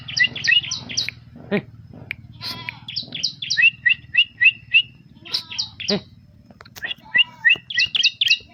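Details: Bar-winged prinia singing: bright, quick chirped notes in short runs, several paired two-tone chips repeated about every half second, over a steady low hum.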